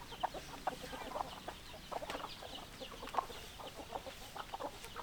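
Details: Hens clucking in a farmyard: many short, soft clucks scattered throughout, overlapping from several birds, with faint scratchy background noise.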